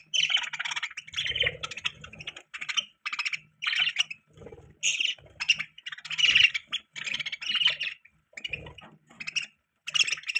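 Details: Pet budgerigar chirping in bursts: scratchy, buzzy warbled phrases of half a second to a second, separated by brief gaps, with occasional soft low rustles.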